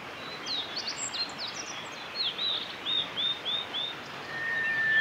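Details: Singing male meadow bunting recorded on the Hyuga forest road, 1 May 2021: a rapid run of high, slurred chirps and trills in varied short notes, with steady background hiss throughout.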